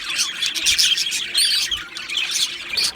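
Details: Dense, fast, high twittering and squeaky chirps from two male Budgerigars, run together with hardly a break.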